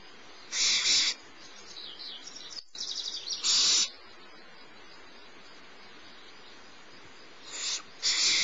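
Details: Littlest barn owl owlet receiving food from its mother at Starr Ranch, 6 March 2011, mid-morning; loud rasping hisses near the start, soft chittering, then a long quiet gap before further screeches at the end.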